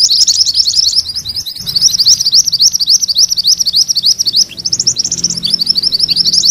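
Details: Continuous rolling song of a mantenan kuning, used to train magpie-robins: dense, fast, high-pitched rippling notes, several per second, running for over six seconds with only slight dips.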